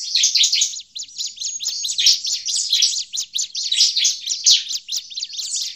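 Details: Bar-winged prinia uttering noisy agitated calls, a lure for prinias in forest: rapid, sharp high-pitched chips in a continuous excited flurry.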